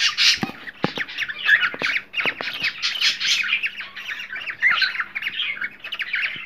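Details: Harsh, chattering cockatiel squawks intended to stimulate pairing, delivered in fast overlapping bursts with several sharp clicks early on and a low hum underneath.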